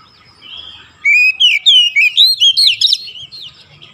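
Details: Oriental magpie-robin (kacer) in continuous 'gacor' chatter to rouse lazy birds: after a soft start, a loud phrase of about nine clear whistled notes rising and falling, ending in quieter warbling.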